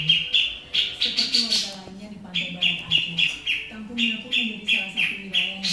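Grey-cheeked bulbul giving harsh, scratchy chattering notes about three per second, high and noisy, with a low human voice murmuring underneath.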